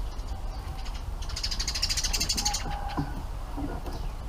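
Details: Bulbul nestlings begging as parents arrive with food, a dense burst of hissy, rapid high chatter lasting about a second, then a few scattered lower notes against a low background rumble.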